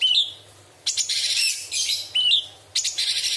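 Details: Cucak cungkok bulbul singing sharp, filled-in phrases for a songbird training recording: a rising whistled note twice, each followed by a long noisy, chattering burst of high notes.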